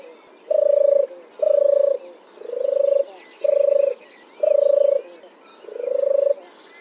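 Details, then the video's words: A European turtle dove, a summer visitor to Britain, sings from a dead oak branch in Oxfordshire: six low, rolling purrs, each about half a second long, at about one per second, with faint songbirds chattering behind. "Turtle Dove Sings"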